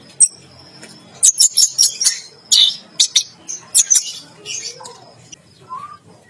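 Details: Orange-headed thrush in its bath cage delivers a run of evenly spaced high chirps and buzzy notes while bathing, then softer, lower whistled slurs toward the close.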